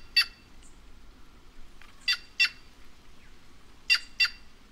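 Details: Harsh, rasping calls of a white-naped jay (Cyanocorax cyanopogon). One single note is followed by two pairs of loud buzzy notes, the notes in each pair about a quarter second apart. The background is quiet.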